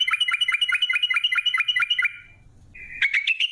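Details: Sooty-headed bulbul 'ropel' lure: a fast, regular train of clipped chirps lasting two seconds over faint low hum, then a short buzzy note and a new quick run.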